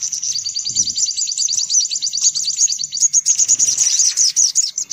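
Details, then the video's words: Noisy high-pitched sunbird chatter used to attract sunbirds: steady rapid trilled chirps, growing into denser, overlapping twitters toward the end. "Suara Pikat Burung Kolibri Paling Manjur"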